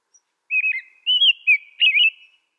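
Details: American robin producing a smooth sequence of four whistled caroling phrases, each a quick up-down slur, with no background noise.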